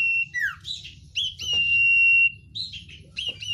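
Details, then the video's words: Oriental white-eye with a sharp 'isian' song: a falling slurred note, then a long, steady, high whistle held for about a second, followed by quick bright chirps. "sirtu isian luber banyak pedes"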